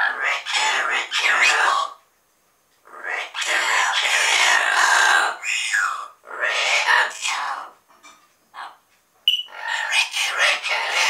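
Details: Double yellow-headed amazon parrots chatter in raspy, word-like bursts of one to two seconds with brief pauses, plus a single sharp squawk near the end.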